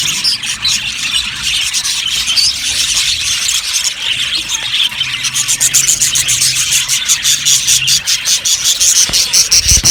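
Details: Dense chirping from a budgie colony in an aviary, a steady high-pitched chatter of overlapping squeaks, growing busier toward the end with rapid clicking notes.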